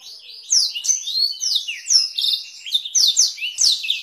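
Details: Canary song in the Blackthroat-variation style, meant as a master recording for training canaries and shamas: continuous high, rapid trills and warbled rolls with sweeping slurred notes, steady without pauses.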